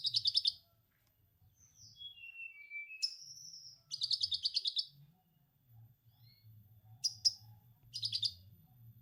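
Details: Orange-headed thrush delivering lovebird ngekek imitation as a stimulation track for untrained birds. Short buzzy chatter bursts separate a sequence of falling slurred whistles and sharp single chips. A low droning hum continues throughout.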